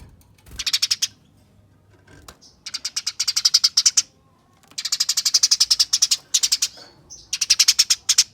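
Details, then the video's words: Eurasian tree sparrow fighting chatter played to prompt other sparrows to call: dense, rasping, rapidly repeated chirps in four extended bursts, the later runs louder and closer together. "Pancingan Gereja Tarung Nyerecet Speed Rapat Bikin Gereja Lain Ikut Bunyi Gacor"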